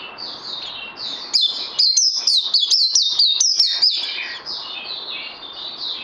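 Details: Trainee songbird recorded 18 May 2020, a rapid series of sharp whistled notes repeated roughly twice a second, with softer warbling before and after.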